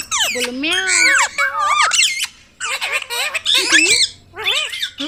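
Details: Talking ringneck parrot in near-continuous, nasal word-like chatter with looping pitch contours, delivered in three bursts separated by brief silences.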